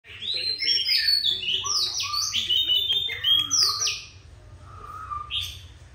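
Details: Oriental magpie-robin, an adult caught from the wild and described as feisty, singing a rich run of clear whistled phrases with sharp rising and falling notes, some lower warbles, and a quieter tail end; a steady low hum underneath.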